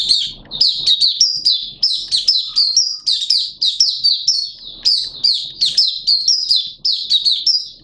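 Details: Malaysian Oriental white-eye in open song, kept as a hobby bird; an unbroken stream of sweet, very high chirping phrases, each short burst falling slightly, repeated rapidly for the whole stretch.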